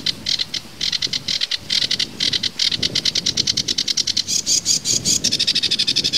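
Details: Sedge warbler singing a fast, dry chatter of short buzzy notes, about two or three per second, breaking into higher, quicker trilled phrases near the end; low rumbling background noise.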